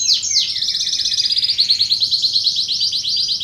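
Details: Contest canary song for training and luring: a fast, rolling high trill with a few sweeping notes at the start, continuing as an even, bubbling rattle of rapid repeated notes.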